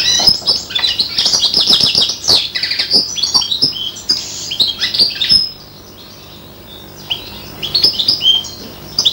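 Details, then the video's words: Five-month-old hybrid of a European serin and a bronze canary hen, a caged bird imitating goldfinch song: a fast, dense run of high twittering, trilled and buzzy notes, pausing briefly midway before resuming. "inverzellato imita il cardellino--girlitzmischling macht stieglitz gesang nach"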